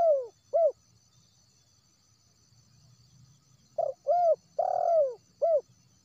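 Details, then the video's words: Wild spotted dove call used as a lure for trapping birds, from West Sumatra: loud low hooting coos, two short notes, a pause, then a run of four coos, the middle one longer and rolling, over faint insect hum. "SUAR PANCINGAN TERKUKUR LIAR"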